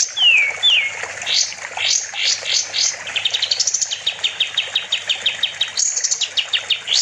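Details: Sooty-headed bulbul, locally kapas tembak, in constant song used to train other songbirds: two loud descending whistles, then steep upswept notes and long rapid trills of repeated high chips.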